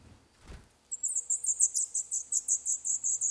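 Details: Nestling black redstarts in an old furnace pipe of a building due for demolition in Poland, day eleven; after a low thump, a sudden outburst of shrill, high chirps repeated rapidly and steadily.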